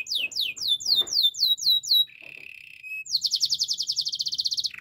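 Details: Song of a Belgian canary: quick repeated down-slurred chips, a lower sustained buzzy tour, then a dense fast rattling trill at high pitch.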